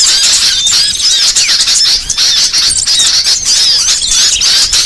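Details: Small songbirds in a varied training recording: bright, high chattering with squeaky whistled slurs and rapid chips, loud and constant.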